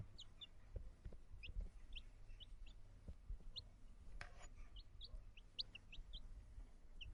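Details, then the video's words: Small chickens giving a steady run of short, high, thin peeps, each a quick downward chirp, repeated irregularly about two to three times a second over a faint low rumble, with a brief rustling burst midway. "Small Chickens Sound Effect"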